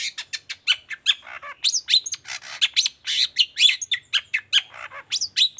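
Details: Long-tailed shrike in vigorous 'toet toet' song, played to coax reluctant shrikes into singing: a dense, nonstop stream of scratchy chatter, clipped whistles and harsh buzzy notes, several per second.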